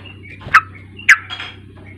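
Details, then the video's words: Lure song of a sooty-headed bulbul meant to prompt an untrained young bird to sing. Two sharp, rich notes half a second apart, faint thin whistles between them and a constant low electrical hum. "Pancingan KUSUS trucuk bahan agar mau bunyi"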